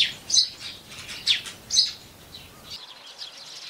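Eurasian tree sparrow giving a few sharp, high chirps at an uneven pace, about three in two seconds, over a steady background hiss.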